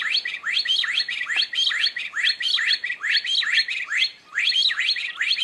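Stone partridge: a fast, unbroken run of shrill, rising-and-falling whistled notes, several per second, overlapping as if more than one bird is calling together.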